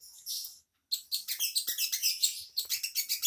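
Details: Unidentified bird singing, offered as a master song for training white-rumped shamas and magpie-robins; a brief high chirp, a short pause, then rapid, thin, scratchy high notes repeated about five times per second.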